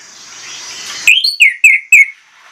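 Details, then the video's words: Orange-headed thrush giving one brisk phrase of about five sharp, ringing whistles, each slurring down, following faint hiss and ending in near silence. "PANCINGAN ANIS MERAH PLONG NGOTOT BONGKAR ISIAN"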